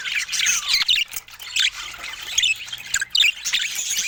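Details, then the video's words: Several pet budgies chatter while sharing fruit: bursts of bright, high chirps and squeaky squawks alternate with brief dips, giving an uneven, bubbly rhythm. "Budgies Sharing Fruits with Funny Happy Sounds"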